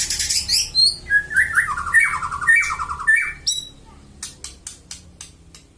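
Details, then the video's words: White-rumped shama in a loud song: high whistled notes sliding down into a series of rapid, stuttering warbled phrases, then a string of sharp evenly spaced clicks. "Tembakan kicau Murai batu pastol"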